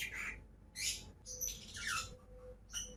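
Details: Pet lovebirds, two birds, producing rapid raspy squawks and a falling squeal, overlapping harsh notes filling the short stretch.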